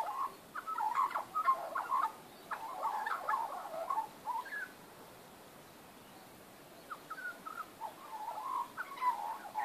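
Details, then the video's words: Backyard magpies on 19 April 2014 carolling in rich, fluty, warbled bursts, then falling silent for a couple of seconds before soft phrases resume and build again. "Magpies backyard"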